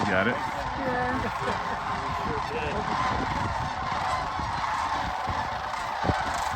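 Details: Sandhill cranes in and around Jasper-Pulaski Fish & Wildlife Area, Medaryville, Indiana, on November 22, 2023; a dense flock chorus of overlapping rolling, trumpeting calls that never pauses, with a few voices standing out near the start and a sharp click near the end.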